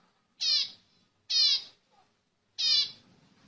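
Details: Zebra finch, song played to stimulate females to mate: three loud, nasal, harmonic-rich notes, each about a quarter second long, spaced roughly a second apart, with a faint low murmur in between.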